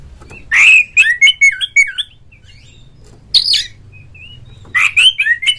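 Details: Oriental magpie-robin song as a rival-provoking lure for a kept bird: a quick string of clear whistled notes, a pause with one soft whistle, then another burst of sharp notes.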